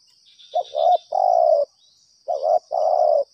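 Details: Spotted dove attracted by a lure gives two mellow phrases, each a short stammered note running into a long steady coo, with quiet gaps between.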